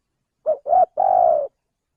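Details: Male spotted dove from Indonesia, its call played as a lure to attract birds: a three-note phrase of a brief coo, a rising middle note, and a drawn-out trilled note fading lower. Silent surroundings.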